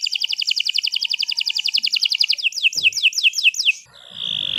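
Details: Canary singing long and lively as a master tutor for other birds: very fast high rattling trill, then slower descending slurred notes and a sustained whistled tone.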